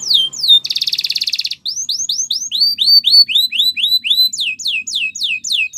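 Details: Caged-style canary training song: two falling whistles, then a fast buzzing rattle, followed by a run of rising-falling swept notes repeated about four per second and a final series of steep downslurs.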